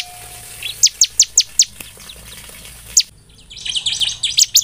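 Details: Bar-winged prinia lure recording for stimulating song: five sharp high descending notes over a background hiss, a lone note, then a busier cluster of overlapping thin chirps.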